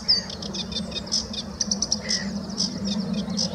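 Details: Varied, scratchy phrases from a sedge warbler, recorded 11 April 2017 at De Hoge Dijk, Amsterdam, the Netherlands. High chirps and chatters mix with one lower drawn-out note, over a steady low background hum.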